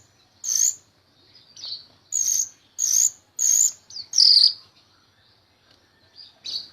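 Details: Rio-rio myna (jalak rio-rio) in full song, used to teach other songbirds, gives spaced high buzzy bursts with short whistled sweeps between them, over a faint low hum.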